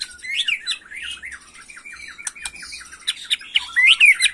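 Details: Agitated young white-rumped shama in 'macul' style: a fast series of repeated squeaky rising-falling notes, then scratchy chatter and sharp loud whistles toward the end.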